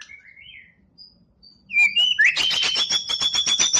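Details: Champion competition white-rumped shama's 'tembakan' burst: soft slurred whistles, then a loud rising whistle followed by a fast run of repeated sharp buzzy notes, about four per second.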